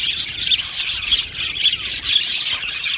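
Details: Australian budgies in an aviary colony make a dense, steady chorus of high chirps, squeaks and short warbles, many birds overlapping with no pauses.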